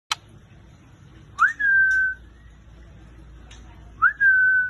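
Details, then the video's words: White-rumped shama giving two long, clear whistles, each sliding quickly upward and then holding a steady pure tone, with a brief sharp click before each. "MURAI BATU"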